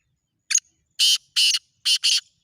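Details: Black francolin calling: a short harsh note followed by four loud, grating, broadband bursts delivered in a quick uneven phrase over about two seconds, with near silence between them.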